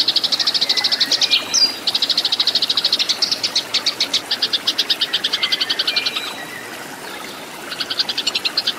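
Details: Caged-bird training recording of Eurasian tree sparrows in a fighting vocal duel: fast bursts of shrill chirps, a quick squeaky note early, stretches of quicker ticking, a pause, then renewed rapid chirping.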